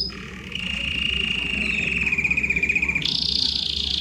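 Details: Belgian canary in full loud song, played to warm up other canaries: a sustained buzzy trill that holds steady, then jumps abruptly to a higher, rapid rolling trill, over soft low background hum.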